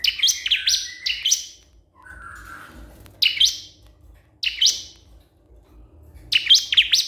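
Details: Bar-winged prinia calling a rival, with clipped phrases of high, sharp notes, a brief softer whistle in between, then isolated short bursts spaced a second or more apart.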